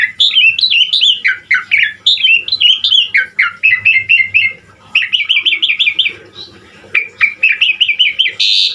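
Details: Singing Asian pied starling, Indonesian bird kept as a song master, in lively varied fill-in style: a near-continuous chain of looping, wavering whistles, repeated motifs with short pauses, ending in a buzzy rasp.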